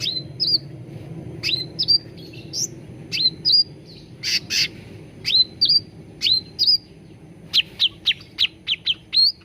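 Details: Grey-bellied bulbul lure song for making birds sing readily: repeated upswept whistled chirps, some in pairs, with a few harsher buzzy notes midway and a rapid run of chirps near the end, over low background rumble.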